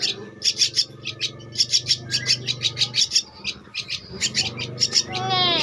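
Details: Javan myna chick, two weeks old, uttering quick clusters of sharp, scratchy begging notes, with a low steady hum and a rustling noise at the end.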